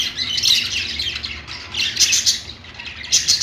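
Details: Pet budgies singing on a perch: a dense, continuous high chattering warble with scratchy squawks and chirps that swell and fade in bursts, over a faint low room rumble.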